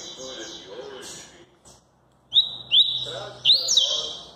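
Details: A Double-collared seedeater sings maresia-style song. After soft chirps and a brief pause, loud upslurred whistles come in three quick bursts, each sliding into a sustained ringing note.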